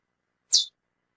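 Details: A female Chestnut-bellied seed finch (Sporophila angolensis), likely captive-bred, gives a single brief, high, slightly buzzy chip call; otherwise quiet.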